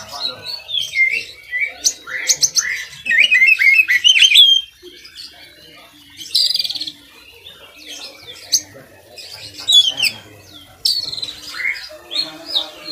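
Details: Vigorously singing kacer, or Oriental magpie-robin, a recording used as a master for other kacer: long run of varied whistles, buzzy rattles and quick trills, pausing briefly then resuming with sharp rising phrases.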